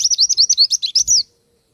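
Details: Oriental white-eye in full song, a rapid run of high, thin whistled notes rising and falling in quick succession for just over a second, then silence.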